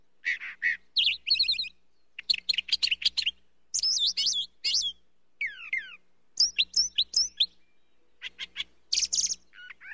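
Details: Long, varied brown thrasher song running for ten seconds: a rapid string of different phrases, some buzzy, some whistled, some sweeping down, many repeated twice before switching, with brief pauses between bursts.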